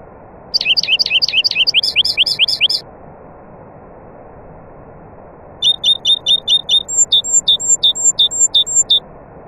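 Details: Singing nightingale with other birds: a quick volley of high, looping down-slurred notes, about two seconds of quiet hum, then a long series of short, clipped high notes repeated steadily at a slightly slower tempo.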